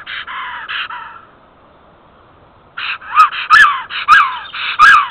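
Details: Black stork, a female at her nest in Estonia on 8 April 2014 in late morning, calling for her mate, who is late back from migration: harsh, harmonic calls, a short pair, a pause, then a rapid loud run of calls.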